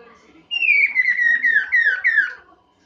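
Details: Chinese hwamei song used as a master recording for training birds: a series of loud, clear whistled notes, each sliding downward, repeated about five times in quick succession with a slightly echoing quality.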